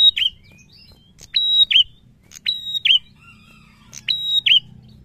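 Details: Prinia in energetic song, repeating a piercing flat whistle with a twisting terminal note four times in about five seconds, some faint thin whistles between phrases and low background hum.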